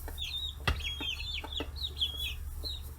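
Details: Free-range chicks aged 40 days crowding fish heads in Hiroshima, Japan: brisk, irregular high chirps and a thin drawn-out whistle, with pecking taps and a low mechanical hum beneath.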